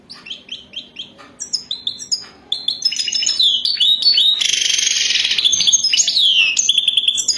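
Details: European goldfinch (Carduelis carduelis) sings a bright, tinkling song: a run of quick repeated twittering notes, then a fast jumble of liquid trills and buzzy rattles.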